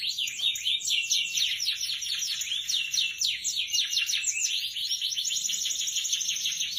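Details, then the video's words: An F1 SF canary sings a long, continuous song of dense, rapid high trills and chattering notes, about four elements a second, bright and rolling throughout with no silence. "KENARI F1SF GACOR DURASI MULUR"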